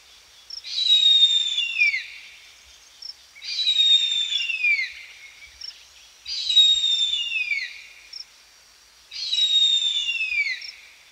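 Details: Harpy eagle at Balboa Park, San Diego, filmed on 28 July 2020 with a Panasonic GH5 camera: four loud, high, wailing calls with stacked harmonics, each sliding downward and lasting over a second, repeated roughly every three seconds against a quiet background.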